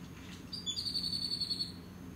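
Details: Hermit Thrush on the Laguna Madre Nature Trail, South Padre Island, Texas, on 27 October 2018, foraging by shuffling, gives a single thin, high, drawn-out note of about a second over a faint low hum.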